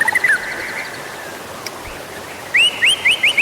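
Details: White-rumped shama song for prompting other birds to sing: brief trill, a quiet gap, then five loud arched whistled notes repeated quickly.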